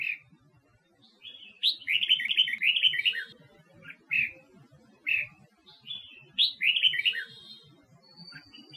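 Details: A female red-whiskered bulbul, Huế type, sings to excite wild-caught males: a single clear note, then a rapid string of fluty warbled notes sliding downward, followed by isolated chirps and another descending run.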